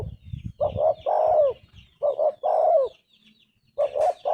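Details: Repeated spotted dove phrases, each a short double coo and a longer descending coo, with a brief low rumble at the start and faint small-bird chirps above.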